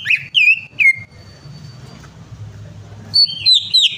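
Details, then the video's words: Prompt song of a greater green leafbird for a bird that will not sing: three clear falling whistles, a thin held tone, a pause, then a quick cluster of high sliding whistled notes. "PANCINGAN CUCAK IJO MACET PARAH"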